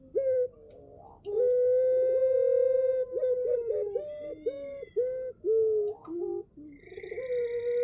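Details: Male puter pelung ringneck dove used as a lure, cooing in long, low, even tones with brief wavering breaks and shorter repeated notes, over a faint room hum.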